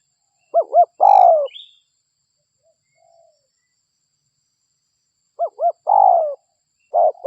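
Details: Local spotted dove cooing to lure other doves: two short notes and a long falling coo, a pause of several seconds, then the phrase again, with a faint high chirp.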